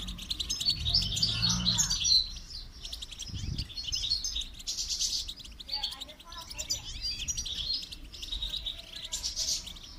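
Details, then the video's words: Goldfinch singing during song training: continuous bright twittering and trills, with a short stretch of human speech early on and light background noise. "Motivational rewards for training goldfinch to song"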